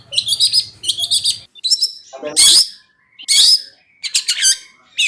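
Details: Long-tailed shrike master song: stuttering chirp bursts, then loud harsh scratchy squawks about a second apart, ending with quick chattering notes.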